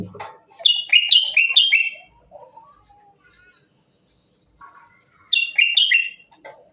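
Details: A Common Bulbul, described as a Moroccan bulbul, gives two short, bubbly phrases of rich, fluty whistled notes that tumble up and down, with a few seconds of near-quiet between them.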